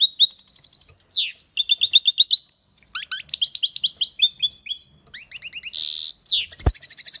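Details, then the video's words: European goldfinch singing loudly, likely an aviary bird; a fast tumbling stream of high twittering notes, trills and buzzy, rattling phrases, almost continuous with one short pause and a click near the end. "Goldfinch singing the best chirping | Bird songs - Chirping birds - Jilguero cantando fuerte"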